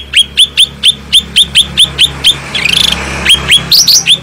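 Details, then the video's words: Cucak rante bulbul singing loudly and clearly, recorded as training material for stressed or reluctant birds. Evenly spaced sharp down-slurred whistles, about five per second, interrupted midway by a short buzzy chattering burst, then rising squeaky notes. "Cucak Rante Gacor Suara Bening Power Tebal"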